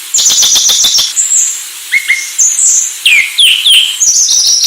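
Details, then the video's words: Sulawesi myna song: a lively run of varied clear whistles, some high and steady, others sliding downward, with rapid short ticks at the start and brief pauses between phrases. "Anis Sulawesi"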